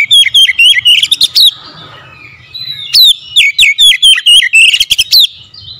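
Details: Oriental magpie-robin, a kept bird said to be reluctant to sing, pours out nearly continuous rapid whistled notes with sharp upward flicks, pausing once briefly amid soft rustling before resuming at full volume.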